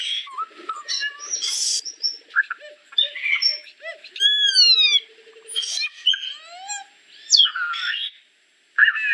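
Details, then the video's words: Solitary cacique in a busy, varied song stream: squeals, sharp downslurred whistles, buzzy chatter and repeated ladder-like stacked notes, loud and almost continuous, with one brief pause near the end. "Boyero Negro Canto! Llamado! Sonido! Cantando - Solitary Cacique Song"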